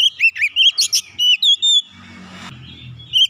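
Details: Agitated magpie-robin bursting into quick whistled phrases and chirps, several sharp notes in a row, then a pause with faint low background rumble before one last whistle.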